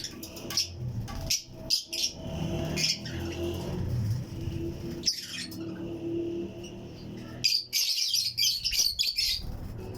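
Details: Fischer's and Lutino lovebirds, pairs living as a colony in a flight cage aviary among other birds, give scattered shrill high chirps in short bursts, with pauses and a low indoor rumble between them.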